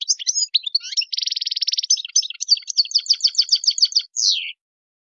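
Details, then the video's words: European goldfinch with a Tadmait-style song for training young singers: quick varied twitters, a dense buzzing trill, then bright repeated chirps at a steady pace, finishing with a descending slurred note. "تغريد تادمايت شون هبال و قوة ما شاء الله لتحفيظ الصغار الغناء الخالي من الاخطاء"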